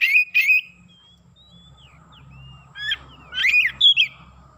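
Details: Kacer, or Oriental magpie-robin, singing its isian in an excited state: two loud chirpy whistles, a run of soft thin slurred notes over a low rumble, then a cluster of sharp rising whistles.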